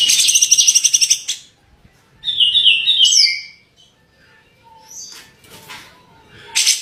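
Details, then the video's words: Grey-cheeked bulbul (cucak jenggot) singing gacor for a songbird tutor recording: a fast piercing trill, a short silence, then a jumble of squeaky descending notes and scattered faint chips. "cucak jenggot gacor dor tembakan mantap rasa yahut"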